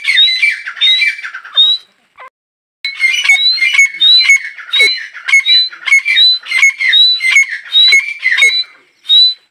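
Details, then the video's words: Calls of a female grey francolin, known locally as teetar. Harsh, ringing squawks with a bright whistled edge come about 1.4 times per second, broken by one short gap early on, then a steady run to the end. "female teetar voice | teetar ki awaaz | dakhni teetra"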